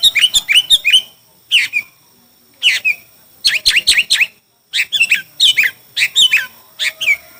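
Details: Chinese hwamei in a singing contest, delivering bursts of rich, slurred whistles in quick clusters. Each burst is separated by short pauses, with a faint hum in the background.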